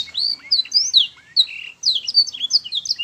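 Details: Canary singing as a teaching recording for young birds: quick high whistled notes sliding up and down, grouped in short bursts with a brief pause, bright and clear against a quiet background.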